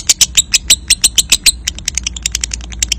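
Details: Short lovebird ngekek burst meant to encourage paud/balibu youngsters to trill: loud, sharp, high chattering notes spaced evenly, then a run of quicker, softer clicks toward the end.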